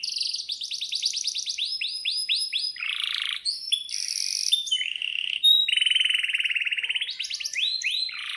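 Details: Excited canary singing a long rolled song, described as sharp 'cuit cuit' chirping, used to prompt silent canaries; runs of falling whistled notes, buzzy bursts, and a steady rapid roll later on, all high-pitched.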